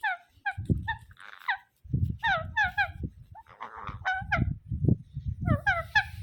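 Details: Ringneck parrot repeating quick, sharp descending squawks in clusters, several per second, over a steady low rumble and handling noise.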